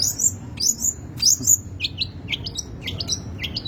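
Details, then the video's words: Long-tailed shrike singing a varied, chaotic-style song rich in material: high whistled downslurs followed by rapid, scratchy, stuttering chips, with low room hum beneath. "burung cendet materi melimpah gaya urakan alias gak karuan"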